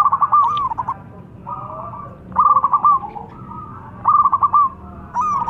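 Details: Young local zebra dove, a lure bird for other doves, with a thick, full voice: three bursts of rapid, stuttering low coos, each ending in a longer drawn note, about a second and a half apart.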